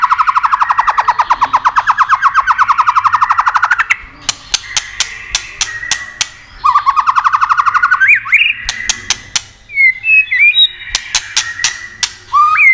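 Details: White-rumped shama song played to excite other shamas: a long rapid rattling trill for about four seconds, then sharp snapping clicks, another rising trill, and short twisting whistles.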